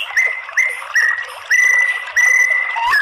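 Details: Lure recording of white-rumped shama song meant to stir males into fighting song: a series of clear, level whistled notes, each longer than the last, with faint high chips above.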